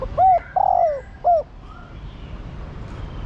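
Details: Female spotted dove calling a male. A short coo, a longer sliding coo and another hooked note run close together in about a second, followed by quiet with faint background birds.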